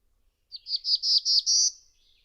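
A Black-throated Blue Warbler sings a quick series of about six buzzy, high notes, the last drawn out and rising slightly, in a quiet setting.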